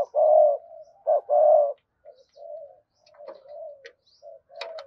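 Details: Spotted dove giving the gù gáy gọi hai hậu coo, meant to stir a fresh-caught bird to call fast; two loud low coos, a short one then a long one, followed by soft, faint trailing coos.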